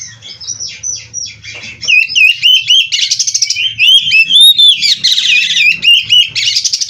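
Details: Captive-bred oriental magpie-robin, called kacer, in full song: softer buzzy warbles at first, then loud rapid strings of whistled and rasping notes about four per second, with dense trilled bursts between.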